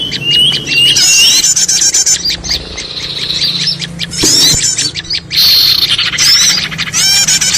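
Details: Busy twittering of many small birds meant to draw birds to a trap: steady overlapping chirps, thin whistles and buzzy trills, with a sharp click near the middle.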